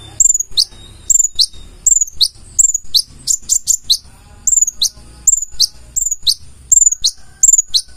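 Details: Full-isian song from a purple-throated sunbird: piercing, high, down-slurred chips given at a steady pace, occasionally tumbling into quick triplets, with faint low background rumble.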